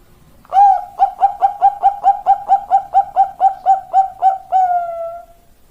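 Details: Perkutut, the zebra dove, in a long song. After a brief quiet start comes a fast, evenly spaced series of about fifteen soft cooing notes, ending in one drawn-out, slightly falling coo.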